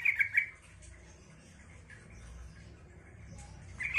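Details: Yellow-vented bulbul (Pycnonotus goiavier) song meant to prompt other bulbuls to answer: a quick burst of bubbly, chattering notes, then silence, then another phrase starting at the very end, over a faint background hum.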